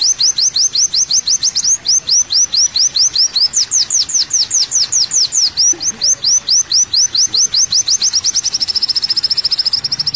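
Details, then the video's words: Kolibri wulung, the olive-backed sunbird, in lively song: bursts of quick, high, slurred chirps with a brief shift upward in pitch midway. The song ends in a tight, rapid buzzy trill. "MASTERAN BURUNG KOWUL KOLIBRI WULUNG"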